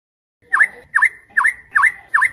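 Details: White-rumped shama, Indonesia, recorded to train contest birds at night: five loud, dipping, V-shaped whistled notes given at a steady pace about every half second.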